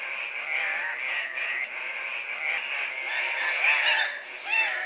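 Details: Andean cock-of-the-rock gathering at a lek, where males compete for breeding females with varied calls. Hoarse, continuous squawking, with curved whining notes becoming louder near the end.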